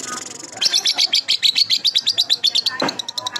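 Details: Young lovebird calls used as a lure to make lovebirds answer: a fast run of high, sharp chirps, roughly four per second, following a short stretch of lower murmuring.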